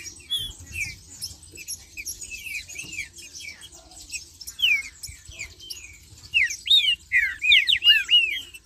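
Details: Trinca-ferro, or Green-winged saltator, marcheando: after scattered soft chirps, a run of loud downslurred whistles near the end, several arched and rapidly repeated. High, thin twittering fills the background throughout.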